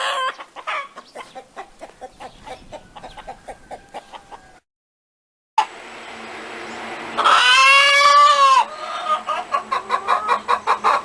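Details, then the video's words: A hen cackles in a run of rapid, regular clucks, then falls briefly silent. After that comes a long, loud, drawn-out call that falls slightly in pitch, followed by more quick clucks. "Ouça o som de uma Galinha cacarejando"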